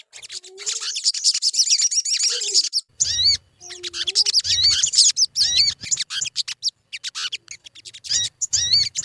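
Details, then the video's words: Sogon lure song meant to make birds sing readily: a dense, continuous stream of high, chattering whistles and rising slurred notes, briefly broken by pauses, with occasional low thuds. "Suara pancingan burung sogon_pasti cepat gacor"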